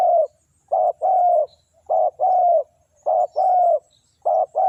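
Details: Lure spotted dove, close and clear, repeating a two-part coo: short soft note then longer hollow note, roughly once a second, with faint distant chirps.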